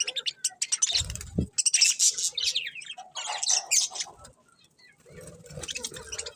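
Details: Colourful budgies chirping: dense, scratchy high-pitched chatter and quick twittering bursts, with brief low thumps like wing flaps and a short quiet pause before the chatter resumes.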